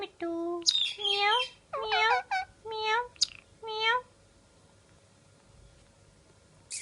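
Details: Pet parrot enjoying time out of its cage, giving a run of clear, rising and falling whistled calls with strong overtones, several short phrases over four seconds, then quiet.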